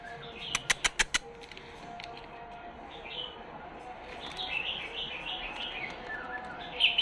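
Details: Tame, hand-raised male canary of the Shirazi song style in Baghdad's Husseiniya, beginning to sing; a run of loud sharp clicks opens, then soft warbled high phrases that grow louder toward the end.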